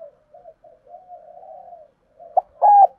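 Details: Spotted dove giving urging and calling coos used to provoke and lure doves: a long soft wavering coo, then after a pause a short note and a loud, steady, hollow coo in a quiet setting.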